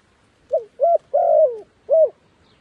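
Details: Caged decoy dove cooing to bring wild doves down: a brief opening note, a second note, then a long sliding coo that falls away, and finally one more short coo, with a quiet background.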